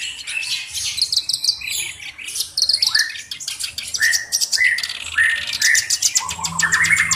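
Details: Black-browed reed warbler, a tutor bird for training other songbirds, delivering a lively song of harsh chatter and buzzy trills broken by repeated rising whistled slurs roughly every half second toward the end.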